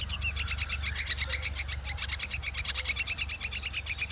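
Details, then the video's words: Lively ashy drongo song: a continuous fast pulse of bright, metallic, high-pitched notes, rhythmically repeated throughout, with a steady low rumble in the background. "Srigunting Gacor"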